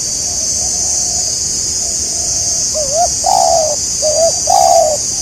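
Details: Spotted dove in Indonesia, recorded during a bird-trapping outing aimed at a local bird. After a few faint notes, two clear cooing phrases follow. Each is a short wavering note, then a longer, level, slightly falling coo. A steady high insect drone runs throughout.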